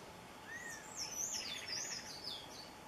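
Plain parakeets give shrill, high chattering calls in quick wavering bursts, with one lower whistled note early on, over steady background hiss.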